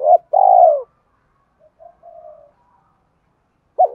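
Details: Spotted dove cooing, played to rouse decoy birds in training: a short hooked note, then a long, low, purring coo that slides downward, a pause with faint distant chirps, and another short note starting the next phrase.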